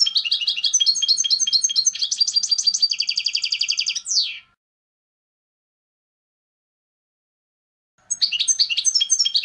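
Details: Clean contest song, canto limpio, of a European goldfinch, used for tutoring young birds. A fast, jangling phrase of liquid twitters runs into a quick trill and ends in a sharp downward slur. After about four seconds of silence a new twittering phrase begins.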